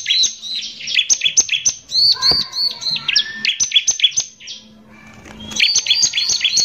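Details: Bar-winged prinia delivering coarse 'nembak kasar' lure song to stir other prinias: ringing, looping high notes in quick succession, a brief lower whistled phrase, a short pause, then the rapid notes again.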